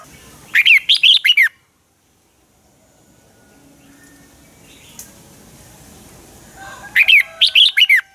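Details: Red-whiskered bulbul singing in dueling style as a lure bird for training others: a rapid run of about five sharp, bright whistled notes, a long quiet pause, then another matching burst of slurred phrases.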